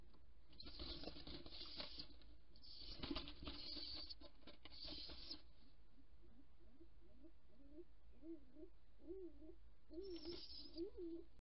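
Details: Stock dove nestlings in a nest box at an evening feeding on 14 June 2018 beg with a run of low, wavering squeaky notes that rise and fall about twice a second, after a burst of scratching and wing rustling.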